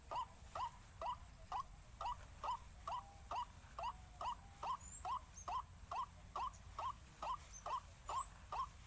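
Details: Lure call of a white-breasted waterhen, described as making waterhens panic: an evenly paced series of short upturned croaking notes, just over two each second, with faint high chirps of small birds now and then.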